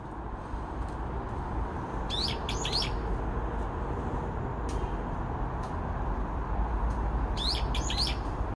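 A Brown-eared Bulbul gives two bursts of shrill, squealing call notes, about five seconds apart, over a steady low rumble of wind or distant traffic.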